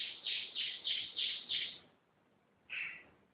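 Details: Gacor canary giving five buzzy, bright notes evenly spaced about every third of a second, then a pause and a single similar note.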